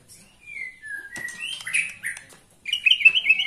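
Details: White-rumped shama, a 21-year-old cage bird, giving clear slurred whistles followed by a scratchy jumble and a loud high chattering burst.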